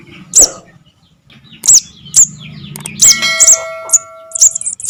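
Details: Chick of the Javan cuckoo, whose call serves as a trapping lure, giving high, sharp, slightly slurred chips at irregular intervals; a steady ringing tone sounds briefly in the middle.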